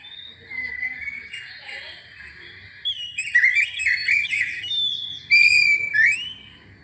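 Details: Oriental magpie-robin singing to provoke other birds, low warbles giving way to a rapid, trilled burst of chirps and then clear, sliding whistles.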